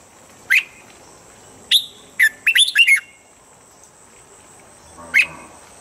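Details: Morning training voice of a red-whiskered bulbul: three spaced clear whistles, then a tight rolling phrase of four or five notes, a pause, and one final whistle; faint steady high hiss beneath.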